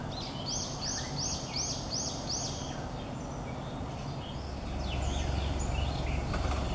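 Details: Blue rock thrush in early morning darkness, probably a female with a chick, the female giving a male-like song: six quick, high, arched chirps about three per second, then softer scattered calls over a steady low rumble.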